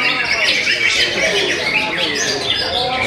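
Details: Greater green leafbird delivering a dense, fast chattering song of squeaky, scratchy notes, tumbling high and continuous without pauses, with a faint murmur of low background noise.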